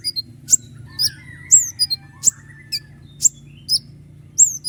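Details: Common iora singing a long rolling burst of sharp shots, recorded as a tutor for other songbirds; sharp, high, sweeping notes come one at a time, spaced about half a second apart, over a low steady hum.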